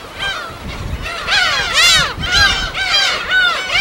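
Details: Gull colony on an uninhabited West Sea island, Korea: loud bursts of overlapping arching squeals and mewing cries from several birds, swelling roughly every half second, with little background noise.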